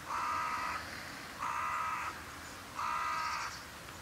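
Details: Carrion crows on a January bird-feeding round, cold at about 0 to 3 degrees with a south-southwest wind: three drawn-out, harsh caws, each under a second long, spaced about 1.4 seconds apart over steady background noise.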